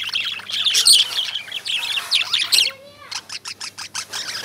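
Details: Indian lovebirds chatter in shrill overlapping chirps, then the calling drops away and a short run of evenly spaced clicking ticks follows for the last second and a half.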